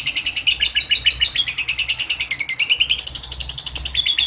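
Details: Steady rapid trill of a lovebird in 'ngekek panjang' style, shrill pulsed notes pouring out without a break and sliding between pitch levels, played to draw a response from sluggish, mute lovebirds.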